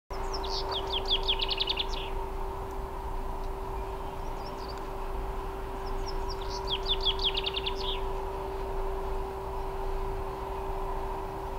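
A common chaffinch sings two bright, descending rattling phrases ending in a flourish, about five seconds apart, over a steady mechanical hum and low traffic rumble.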